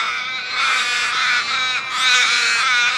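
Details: Dense crow flock chorus, loud overlapping caws blending into a steady, harsh clamour with small rises and falls.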